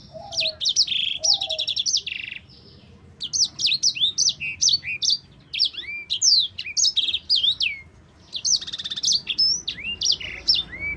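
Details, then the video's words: Long rolling song of a sanger (yellow-fronted canary), used to teach other songbirds: bursts of high chirps, quick trills and swooping whistles, broken by short pauses, plus a couple of lower whistled notes early on. "Kicau burung sanger gacor ngerol panjang cocok untuk pancingan dan masteran"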